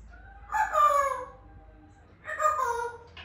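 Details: African grey parrot calling naturally with two drawn-out, nasal wailing screeches, each about a second long and slightly falling, separated by a short pause in a quiet setting.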